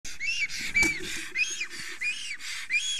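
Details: Male black stork in Estonia, extremely excited and trembling at his nest as a female passes nearby, late morning of 30 April 2020. He gives a short burst of hissing, wheezy notes with rising-falling whistled tones, somewhat irregular.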